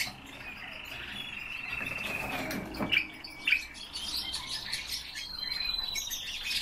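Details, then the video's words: Caged common starling kept as a pet, singing live: long thin whistled tones held steady, broken by sharp clicks and chirps, over a faint room hum. "Sturnus vulgaris- СКВОРЕЦ"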